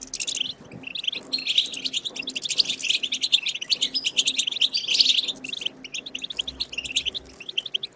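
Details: Wild European goldfinch song meant to get goldfinches singing: a continuous, rapid, jumbled twitter of high chirps and buzzy trills with hardly any breaks, over faint low background sound.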